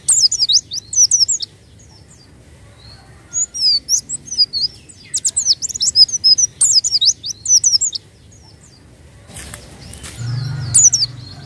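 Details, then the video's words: White-eye song used to coax untrained birds: clusters of quick, high, twittering chirps in several bursts, separated by silent gaps, then a burst of rustling noise near the end. "pancingan bunyi burung pleci bahan"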